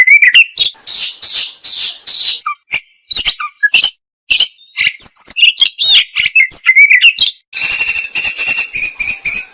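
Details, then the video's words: Oriental magpie-robin (kacer) training song, full of fills and bursts: loud rapid chattering and varied whistles with short pauses, then a harsh buzzy rattle repeated quickly to the end. "Masteran Mewah Burung Kacer Full Isian Dan Tembakan"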